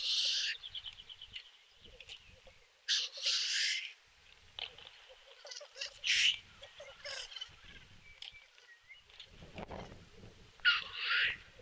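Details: Black grouse at a lek in Kuusamo in May 2021, fighting among snow. Loud hissing bursts recur every few seconds over a steady low bubbling cooing that runs underneath throughout.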